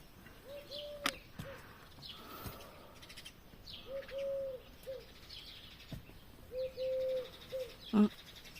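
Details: A turtle dove heard in a garden while gardening; soft, low cooing phrases of two or three notes repeated roughly every three seconds, with sharp clicks and tapping noises and faint higher bird chirps in the background.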